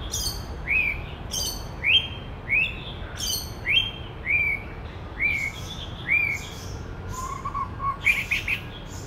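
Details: Male white-rumped shama singing; its varied voice imitates other birds. Loud rising whistles, each topped by sharp high clicks, repeated roughly every second about eight times, then a softer warbled phrase and a burst of rapid notes.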